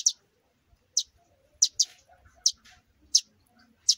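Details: Young sparrows fallen from the nest: short piercing high chirps, single or doubled, spaced roughly every half to three-quarters of a second against near silence.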